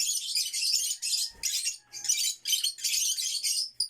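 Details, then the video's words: African lovebirds in a backyard give continuous shrill, scratchy chirping in dense bursts about half a second long, separated by brief gaps. "violet african lovebirds / backyard chirping sound"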